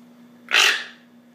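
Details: An indoor pet toco toucan gives its alarm call, one harsh, rasping croak about a third of a second long over a steady low hum, after seeing something concerning out the window; a false alarm.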